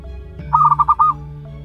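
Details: Zebra dove chick of one month, local natural bird, gives one run of five clear, rounded pulses lasting about half a second, with a faint low drone behind.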